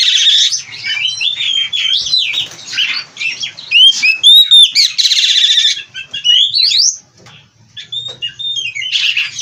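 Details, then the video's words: Bred kacer, the oriental magpie-robin, performing an 'isian' song: clear bent whistles interspersed with scratchy trills and chattering bursts, a short pause near the end before singing resumes. "Burung Kacer Gacor Full isian"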